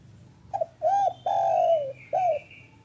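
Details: Afternoon call of a local spotted dove, meant to prompt doves that have stopped calling: one four-note coo phrase, the long third note falling, with a thin high whistle of another bird behind it.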